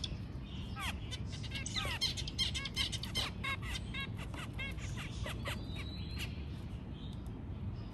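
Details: A white zebra finch sings during mating, in rapid bursts of buzzy, nasal chirps and quick down-slurred notes, over a low rumble.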